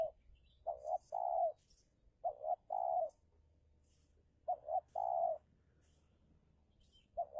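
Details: A decoy spotted dove luring a wild rival in an Indonesian territorial duel sings steady phrases. Each phrase has two quick mellow notes followed by a longer sustained coo, and the phrases come in a slow series over a quiet background.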